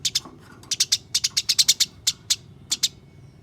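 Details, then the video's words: House sparrows fighting, used to encourage caged sparrows to sing: loud, sharp chirps in uneven runs, some doubled and some single, with clear gaps between bursts. "Masteran Burung Gereja Tarung"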